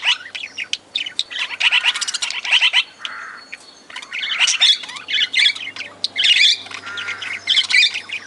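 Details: Budgie flock in an aviary with lovebirds: bursts of shrill squawks and twittering alternate with quieter moments, accompanied by a faint low hum in the background.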